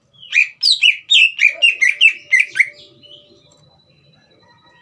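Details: Green leafbird singing vigorously, played to provoke a young bird into singing: a fast run of about ten sharp, downslurred whistled notes with buzzy overtones, then a faint thin whistle and near silence.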